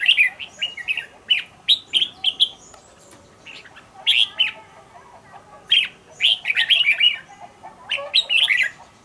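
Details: A decoy red-whiskered bulbul kept in a cage and trained to sing fast: short, bright, slurred whistle phrases repeated about every second, some rising and falling, with brief gaps between groups.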